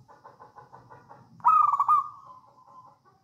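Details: Local wild Javanese zebra dove singing in the songgo ratu style, used as a lure to make other doves sing: a run of short soft evenly spaced notes, then a loud trilled, quavering coo that fades away.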